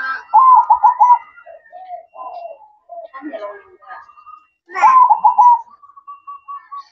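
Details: Zebra dove in nocturnal manggung song, two loud rolling trilled coo phrases separated by quieter notes, with a person speaking in between and a short run of soft coos at the end.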